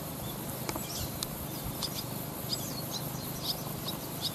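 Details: Barn swallow family, parents with fledglings in flight training, perched on power lines by a rice-field lane, 18 August 2020. Many short, high chirps overlap in quick succession over a steady low background hum.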